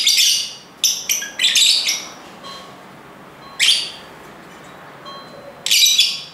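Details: Lovebirds squawk in a quick cluster of harsh, shrill bursts, then fall quiet before two more isolated loud shrieks.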